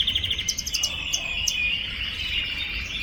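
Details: Young canary practising and firming its song: a quick run of clipped high notes, then a sustained wavering trill, with a few sharp clicks above and low background rumble.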